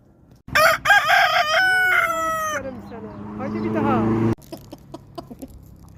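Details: Rooster crowing on a farm: a loud, harsh, strongly harmonic cock-a-doodle-doo lasting about two seconds, breaking into a falling drawn-out ending, followed by lower buzzy sounds and then quiet clucking and clicks.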